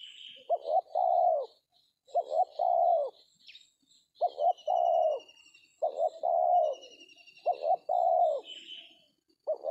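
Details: Spotted Dove cooing during a trapping session with a decoy in an oil palm plantation; repeated phrases of two short notes followed by a longer drawn coo, roughly every two seconds, with faint high insect or bird trills behind.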